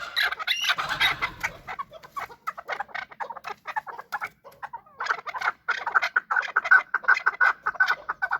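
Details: Chukar partridges, apparently fighting, give rapid, harsh clucking chuck notes around two to three a second, with a burst of louder squawking and scuffling near the start.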